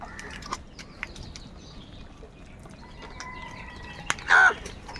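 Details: Crow calling while crows squabble over food: one short, hoarse caw bursts out near the end over quiet background, preceded by faint high chirps and a thin steady whistling tone.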